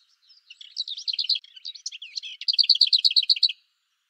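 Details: Lesser whitethroat singing a soft scratchy warble with a brief rattle, then a louder, steady run of about ten rapid identical notes that stops sharply.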